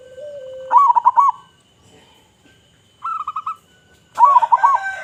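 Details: Local zebra dove singing loudly, a song meant to lure other zebra doves: a low steady note, then bursts of quick staccato cooing notes that wobble and repeat in short phrases, with a faint high whine throughout.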